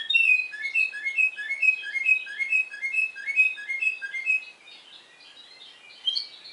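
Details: Spanish Timbrado canary, discontinuous song style, from Madeira, Portugal: evenly spaced clear whistled notes repeated roughly twice a second, then a softer stretch and a final short chirpy flourish.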